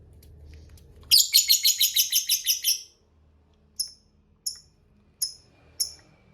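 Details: Lovebird giving a "ngekek panjang", a long chattering trill prized by bird keepers: a rapid burst of harsh, evenly pulsed notes lasting about two seconds, then four short separate chirps spaced roughly a second apart.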